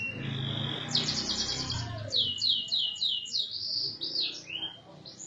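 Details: Canary master song for teaching other birds: a steady tone and fast trill, then swooping downward whistles and slurred notes, with low rumbling background noise.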